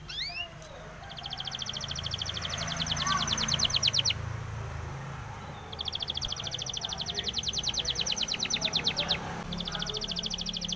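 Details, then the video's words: Spanish timbrado canary training song with rapid, even metallic trills in bursts of a few seconds, separated by short pauses, over a steady background hiss. "SPANISH TIMBRADO SONG FOR TRAINING"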